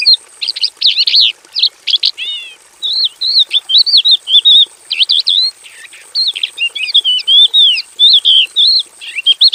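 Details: Energetic song of a Javan bush lark housed in a simple aviary: long run of high twittering, buzzy rattles and wavering whistled slurs, nearly continuous, with only brief breaks between phrases.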